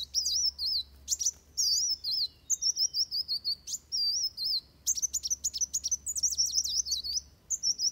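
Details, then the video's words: Fighting song of a Van Hasselt's sunbird, used as a tutor recording for songbirds: fast, high warbled twitters and wavy whistled notes strung together, broken by sharp chips and short gaps. "Suara Kolibri Wulung Tarung Buat Masteran"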